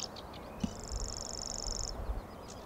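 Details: Male common grasshopper warbler in reedy marshland of the Amsterdamse Bos, Netherlands, where it is present from mid-April to August and becomes active at dusk. Its high, dry insect-like reeling trill runs evenly over low rumble and faint chirps.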